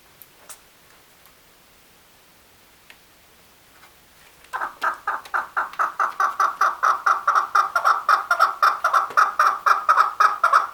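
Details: Male chukar: a few quiet seconds with faint clicks, then a long accelerating series of harsh chuck notes building into a loud, steady clucking rally.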